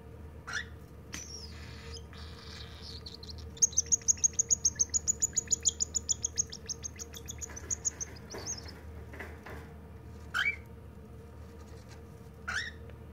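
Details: The youngest cockatiel chick of a brood gives a fast run of high, thin begging chirps while being fed.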